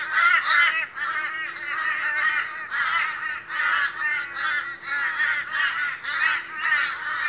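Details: Australian crows at a noisy morning meeting call together in a loud flock, their rough, wavering caws piling over one another with no real pauses, above a faint constant hum.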